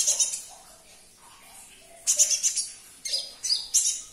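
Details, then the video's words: Sunbird, known locally as konin or kolibri ninja, singing in high, sharp chirping bursts near the top of the range, grouped in short clusters separated by brief pauses. Played to prompt a silent caged bird to answer and sing. "Putarkan 1 menit saja video ini KONIN anda pasti langsung nyaut"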